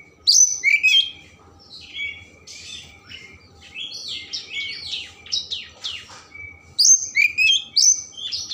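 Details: Oriental magpie-robin singing a varied song meant to provoke emotion and tail opening: loud clear whistles, then a long quieter stretch of mimic-like slurs and warbles, ending with loud whistled phrases again.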